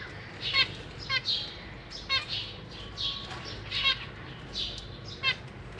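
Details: Caged zebra finch family, parents feeding fledged babies: spaced harsh, buzzy chirps roughly every half second to second, some ladder-like, over a faint steady background hum.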